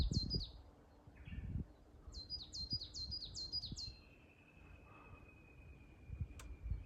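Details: Coal tit singing from the top of a Norway spruce at Asahiyama, Shiga Highlands, Yamanouchi, Nagano, Japan, 1520 m, 29 May 2022: high thin two-note phrases repeated rapidly; wind rumble and a long faint whistle from another bird.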